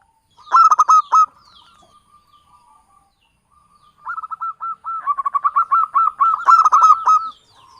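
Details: Zebra dove, local Java bird, sings a trapping lure: one loud stuttered phrase trailing into soft murmured notes, then a long, steady run of rapid rolling coos building in volume.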